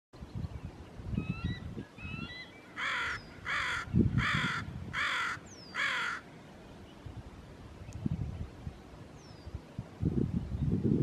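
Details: Northwestern crow (Corvus brachyrhynchos caurinus) cawing in the Squamish River Estuary: a steady run of five harsh, hoarse caws, about one every 0.8 seconds, with faint high whistles from small birds and low rumbling background noise.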